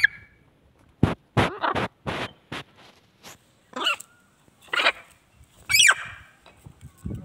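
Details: A pet macaw throws an angry tantrum after being told to behave: a run of short, harsh, raspy screeches, then three longer grating squawks with rough, rising edges, about a second apart.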